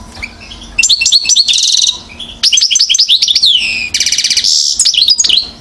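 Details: Year-old European goldfinch singing at Mouzaia, Algeria, in 2012, with near-continuous fast phrases of clear, liquid chirps, downslurred whistles and dense buzzy rattles.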